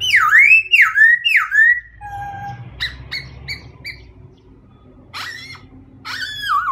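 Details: Three loud, swooping whistled notes from a white-crested laughingthrush, then a short flat whistle, soft clipped notes and two more rising-falling calls, over noticeable low background noise.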